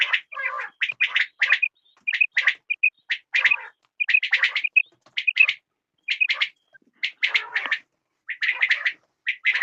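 Quail give high, clipped, chirping notes in quick clusters of two to four, repeated with short pauses and no other sounds.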